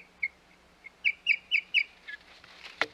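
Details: At the Hog Island osprey nest on 25 May 2021, an osprey gives a run of four piercing whistled chirps about four per second, followed by softer notes and a loud sharp knock.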